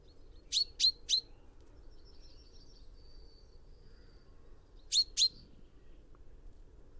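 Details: Common chaffinch, Fringilla coelebs, calling: a quick run of three sharp, clipped notes, a pause with faint high whistles behind, then two more matching notes.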